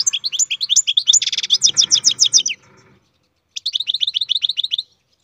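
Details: European goldfinch bred in captivity, singing loudly: a rush of lively twittering notes with a buzzy rattle in the middle, a short pause, then another run of bright repeated chips.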